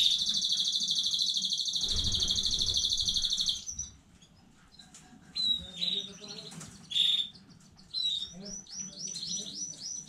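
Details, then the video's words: Home-bred young-stock canary, 15 May 2019, delivers a loud, sustained high rolling trill for several seconds, then quieter scattered whistled notes and a short run of rapid chirps. "KANARYA ÖTÜŞÜ YENİ ÜRETİM HANEDEN 15.05.2019 CANARY SINGING"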